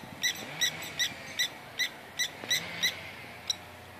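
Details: Kiewit, a blacksmith lapwing, calling in alarm near its nest and chick as a person walks close: evenly spaced metallic clinks roughly every 0.4 seconds, ending with a pause and one last note, low rumble beneath.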